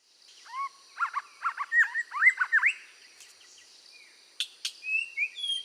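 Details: Red-whiskered bulbul singing hard during voice training to fire it up: quick warbled, slurred phrases of a few notes each, bursts about every half second, then a pause and some sharper high chirps near the end.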